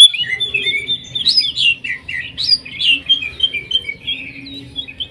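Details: Greater green leafbird (cucak ijo) delivering a jamtrok tembakan song styled as a sewing-machine sound, here a busy run of varied high warbled and slurred whistles, rising and falling quickly, with faint low background rumble.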